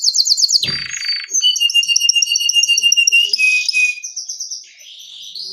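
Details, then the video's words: Canary singing a long gacor song meant for baiting and mastering: quick repeated high notes, a harsh buzzy burst, then varied whistles and rolling trills. "THIS LONG GACOR Canary is suitable for baiting, mastering PAUD CANARI and SOUND-MAGIC CANARI"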